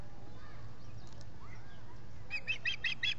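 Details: Osprey nest with three birds at Salt Point in the Finger Lakes, US, on 19 July 2021, recorded by a solar-powered nest camera. After quiet, five loud, high, evenly spaced whistled chirps close the recording.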